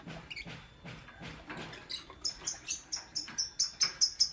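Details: Lutino and Blue Opaline lovebirds in the morning: after softer scattered sounds, a fast series of sharp, very high, clipped chirps, about four to five per second, steady in pitch, growing louder toward the end.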